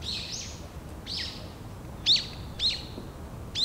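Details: Japanese white-eye feeding on nectar among cherry blossoms in full bloom; high thin chirps near repeated about every half second, with a steady low background hum.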